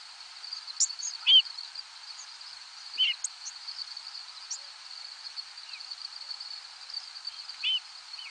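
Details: Rose-breasted Grosbeaks give brief, slurred buzzy nocturnal flight calls every few seconds while migrating overhead at night; thin, high seeps and zips from migrating warblers and sparrows and a steady insect-like hiss fill the background.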